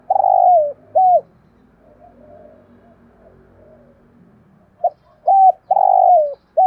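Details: Spotted dove decoy calling in 'giọng thổ' style to set wild doves calling: a long coo falling at its tail and a short coo, soft murmuring, then a quick note and the pattern repeated.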